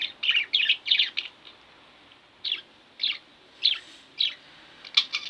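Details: Two pet budgerigars kept at home give bursts of quick, bright chirps in tight clusters, then short pauses before single sharp chirps return, ending in a rapid flurry.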